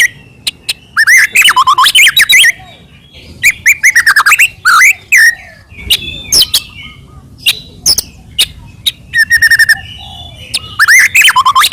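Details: White-rumped shama from Medan, a nonstop singer with full filler phrases, used to stir other shamas into singing; clusters of sharp chirps and twisting whistles separated by short quiet gaps, with occasional single clicks.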